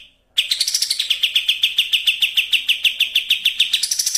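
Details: Sooty-headed bulbul in fast racing style, used as a bait sound to prompt other birds to sing: a rapid, even run of short, sharp, high notes, about three every second, kept up for four seconds after a brief quiet start.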